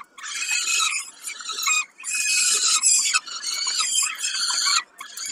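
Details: Peregrine falcons at Kawęczyn during a snack, dated 20 05 22, give loud grating squeals in dense bursts of one to two seconds, separated by brief pauses.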